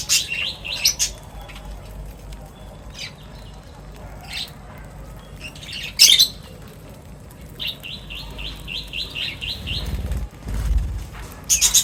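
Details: Birds gathered for a meal at feeding time make scattered sharp chirps, then one bird gives an even run of about eight quick, high notes, followed by a loud chirp at the end.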